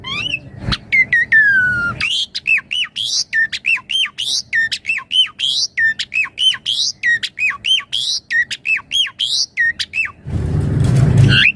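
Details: Jalak suren, Javan pied starling, pouring out gacor song used as master and lure: a long falling whistle, then a rapid string of chopped, hooked and squawky notes about four a second, ending in a rush of noise.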